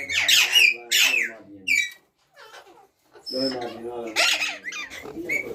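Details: Loud, harsh screeches from a ringneck parrot, two strong bursts at the start, then softer chattering notes and another noisy squawking run in a small room.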